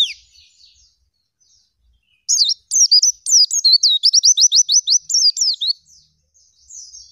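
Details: Oriental white-eye (pleci) singing energetically in the 'gacor' style, full of imitated phrases, with 'nembak ngerol' rolling bursts. Faint soft chips are followed by a loud run of very high, fast, sweet chirps and rolling trills lasting about three seconds, then quiet notes.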